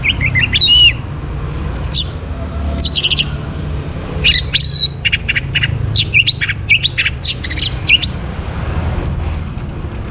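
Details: Morning song of an Orange-headed thrush, used as a trigger to bring birds into breeding condition. Loud, high chirps and quick sweeping whistles arrive in irregular clusters of notes over a low background rumble.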